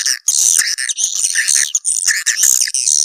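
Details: Continuous swiftlet lure call, a harsh twittering chatter with thin piercing whistles laid over it, loud and high-pitched, pausing only briefly between phrases.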